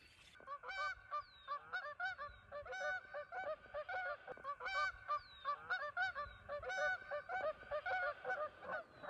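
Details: A flock of ducks at Horicon Marsh calls nonstop in overlapping nasal, honking quacks, many birds at once, with short breaks every second or so.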